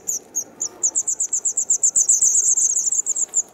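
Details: White wagtail nestlings two days before fledging, filmed 3 June 2019 in Kumiyama, Kyoto, while parents feed and guard them: thin, very high chirps speeding up into a steady run of about four per second.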